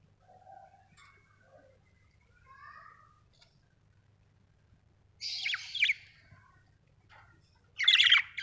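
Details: Budgerigars, several birds, giving soft faint warbles early on, then two loud bursts of harsh, buzzy chattering notes near the end, with long quiet gaps between and a low hum underneath.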